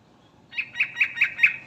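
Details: Brief series of five evenly spaced, bright chattering notes from a Sooty-headed bulbul ('garuda' type) calling to companions, over a faint low background hum.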